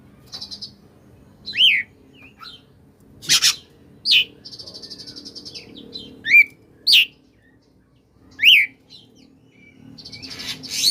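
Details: Oriental magpie-robin singing in the koslet style, used to prompt magpie-robins that are reluctant to sing: scattered sharp rising whistles and downslurred notes between buzzy, rattling trills, with loud clicks and pauses.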